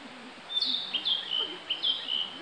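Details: A male Narcissus Flycatcher, unseen, sings three quick, high whistled phrases, each slurring downward, about half a second apart, over a faint low background hum; recorded 18 May 2015 at Akagi Nature Park, Japan.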